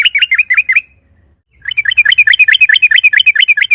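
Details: Yellow-vented bulbul singing a loud 'ropel' song as a lure to provoke other bulbuls into replying: a short run of bubbly downslurred notes, a brief gap, then a long, rapid, rolling series of bright chirps, over two notes per second.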